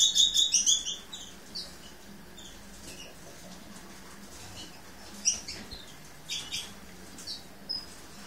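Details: Lesser goldfinch, subspecies hesperophila, opening with a quick run of about eight high twittering notes, then scattered single high chips and faint rustling.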